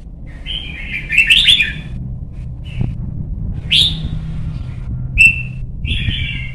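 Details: Caged young white-cheeked red-whiskered bulbul from Vietnam, being trained to sing for competitions. It gives a warbled rolling phrase, then a sharp rising whistle, a short clear note and a wavering whistle, with faint low hum.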